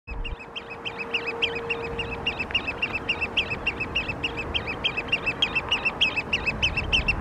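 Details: Wild oystercatcher at Tsu giving fast, loud, sharp piping notes, roughly three a second, high and clipped, building steadily over several seconds; a faint steady hum sits low in the first half, over soft background rumble.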